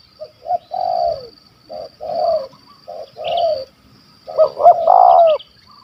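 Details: Hunted wild spotted dove in Malaysia with a big 'kuk 1 2' voice: three measured falling coo pairs, then a loud stammering burst of rapid upswept notes running into a long coo, with a constant thin whine above.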